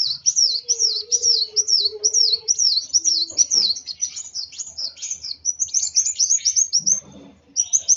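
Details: Agitated sunbird, known locally as kolibri wulung, singing fast high-pitched chirps in quick downward-sweeping notes, densely repeated about twice a second, with faint low tones beneath.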